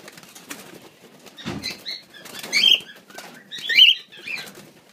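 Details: Grey cockatiel (Nymphicus hollandicus), birds offered for wholesale sale: a few short, harsh chirping calls rising near the middle and end, with wing flapping, rustling and clattering in between.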